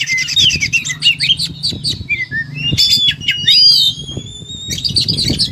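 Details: Magpie-robin called kacer, in full fighting song with varied material: stuttering chirps and a buzzy rattle, then long, pure, slightly rising whistles and a closing burst of notes; soft low background noise.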